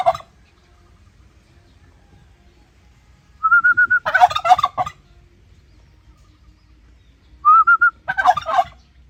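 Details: Two turkey gobbles about four seconds apart, each introduced by a short rising series of whistled pips before the rough, gurgling rattle. Quiet stretches lie between.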